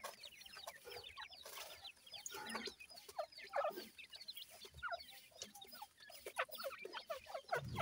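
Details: Dense chorus of thin, high, falling peeps from a group of grey francolin chicks at feeding time, nearly continuous, with soft rustles and thumps beneath.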